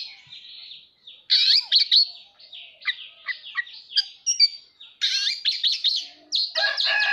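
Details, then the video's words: Caged male-type Oriental magpie-robin singing while displaying: loud, varied high phrases of sharp whistles, chirps and short trills in bursts separated by brief pauses, with a softer warbled opening. "Chòe than hót xòe"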